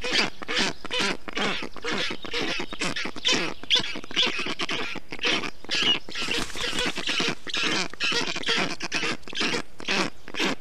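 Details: Several black stork nestlings in Estonia, 20 June 2021, calling in a changed way to show they are fine after a parent cools the hot nest; long run of rough hissing pulses, roughly two per second, steady throughout.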